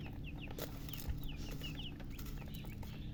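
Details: Baby chickens just born give scattered high slurred peeps, a few every second, among clattering knocks and a low steady rumble.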